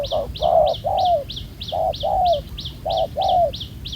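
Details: Wild-caught spotted dove with a dark spotted neck collar, caught by ground decoy; drawn-out, falling coos in pairs, with a fast, regular high chirping from another bird behind.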